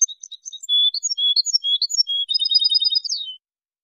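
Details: European goldfinch song for tutoring, recorded in high quality: varied twittered notes and loud whistles lead into a rapid trilled chirping run ending in a falling note, then silence.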